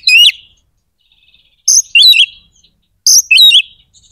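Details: White-rumped shama song to rouse other shamas' aggression and breeding urge: three clear bursts of slurred high whistles and chirps, each about a second apart, with silence between.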